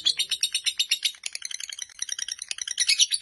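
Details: Fighter-type lovebird in a long chattering song: a dense, continuous stream of rapid, high, scratchy chirps and squeaks, about six notes per second without a break.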